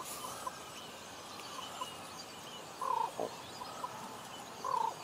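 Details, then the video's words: Common ravens talking in Juneau, Alaska: short hoarse calls near the same pitch, a few soft ones early, then two louder bursts around three and five seconds, over a steady low background hiss. "Common Ravens Talking in Juneau, Alaska"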